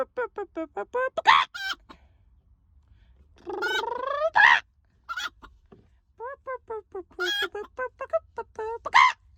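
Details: Chicken clucking in rapid, regular runs, with a long, drawn-out rising cackle in the middle and sharp squawks between the runs.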